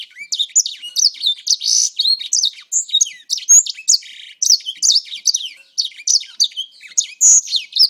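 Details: Grey singer kept for about four months, singing a continuous, fast, varied warble of high whistled and slurred notes with rising and falling sweeps, nearly unbroken over eight seconds.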